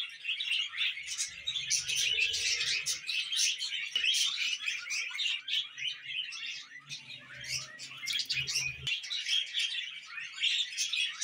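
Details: Budgerigars kept as pets keep up an unbroken stream of rapid chirps, clicks and squeaky warbles for eleven seconds. Faint low humming sounds sit underneath around the second and eighth seconds.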